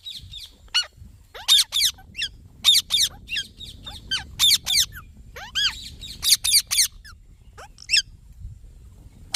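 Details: A green ringneck parakeet repeatedly gives loud, rasping, high-pitched screeches in clusters. The bursts come every second or so throughout, over a soft low background hum.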